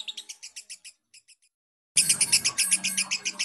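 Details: Long ngekek laughing call of a fighter lovebird, used to lure baby lovebirds. Rapid high chattering notes fade out, then a two-second silence, then a loud new burst of fast harsh pulses.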